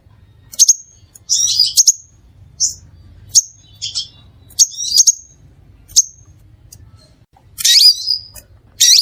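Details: Crimson sunbird calling loudly and clearly to attract other sunbirds. Piercing high chirps alternate with short scratchy rattles and a harsh buzzy burst near the end. Uneven pacing, soft low hum beneath.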